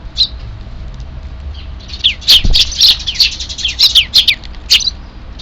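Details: Sparrow chicks in a neighbourhood of half-wild sparrows in Japan, 3 April 2024, giving their distinctive begging calls before an evening feeding; a burst of high, sharp, rapid chirps from about two seconds on, over faint low background rumble.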